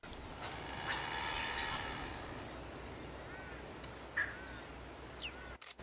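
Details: Yellow-crowned Night-Heron (subspecies pauper) on Genovesa, Galápagos, Ecuador, in May 2012, giving a long, harsh, raspy squawk, then two short, sharp croaks over a steady outdoor hiss.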